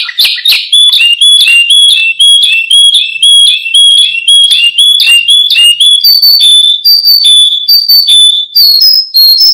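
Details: Canary singing as a prompt and tutor for other birds: a steady series of high, clear whistled notes, about two per second, each with a short sharp attack, shifting slightly higher toward the end.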